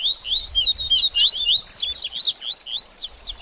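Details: Energetic baderninha song from a double-collared seedeater, played to stimulate a bird after moulting. A tight, continuous stream of bright swooping notes, about four per second, then a few spaced, separate chirps.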